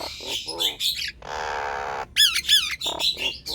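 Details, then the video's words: Nias hill myna song used as a lure for sluggish, quiet birds: harsh squawks, then a long flat grating buzz lasting nearly a second, followed by bright rising-and-falling whistled swoops and more rough calls. "JALAK NIAS DI RUMAH MALAS BUNYI⁉️ COBA PUTARKAN SUARA INI"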